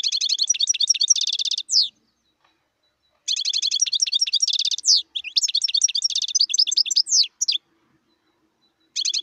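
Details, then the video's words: Wild European goldfinch singing continuously in long phrases of quick liquid twitters, buzzy trills and falling slurred notes, with short gaps between bursts. "صوت الحسون البري"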